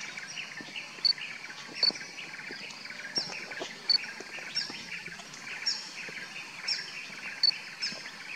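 Square-tailed drongo-cuckoo giving short, high, whistled pips every second or so over a dense background chatter of other birds and insects.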